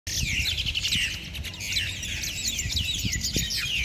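Mynas squabble in a dense, overlapping chatter of harsh chirps, squeaks and falling whistles, with a low rumble of background noise underneath.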